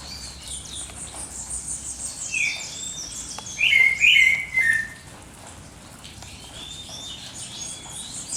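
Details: Birds at dawn: a short loud burst of warbled notes in the middle, surrounded by busy high chirping and twittering from other birds.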